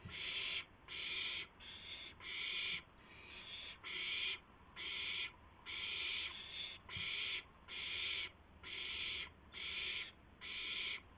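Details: Owl at 2:51 AM on 2 April 2016, at night as one owl delivers a gopher to its mate; harsh, rasping screeches of about half a second, repeated steadily about once a second, with faint low thumps beneath.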